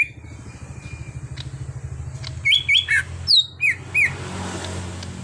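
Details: Cucak hijau (greater green leafbird), a kept bird described as raw stock turned into an active singer, giving a short run of loud, clear whistled notes, some rising and some falling, after a stretch of low vehicle rumble.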